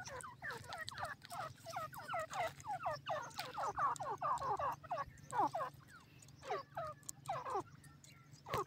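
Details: A grey francolin (teetar) in forest calls a loud, rapid run of harsh, downslurred notes, several per second and overlapping into a gobbling chatter, over a low steady hum.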